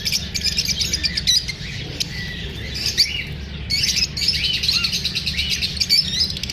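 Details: Lovebirds, kept parrots, chirping after feeling unsafe while being filmed: a dense, overlapping chatter of high, sharp twitters and short squeaky chirps that runs without pause over a low background rumble.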